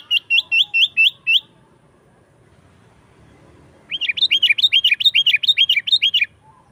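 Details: Energetic sooty-headed bulbul song for calling wild birds in the forest: a short burst of quick chirps, a couple of seconds of quiet, then a longer rapid string of bright, rising-and-falling notes.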